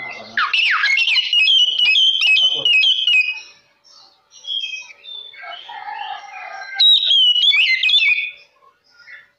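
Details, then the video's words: Lure song of a lively oriental magpie-robin meant to stir other magpie-robins. A fast stuttering string of repeated high notes, softer mixed warbles, then another loud burst of sliding whistles. "Kacer Lain Pasti Langsung Konslet Mendengar Suara Pancingan Kacer Gacor Ini"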